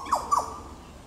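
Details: Yellow Oriole, Goomboora Park, Cairns, Queensland, Australia, 9 September 2022: two brief, mellow, falling whistled notes in rapid succession.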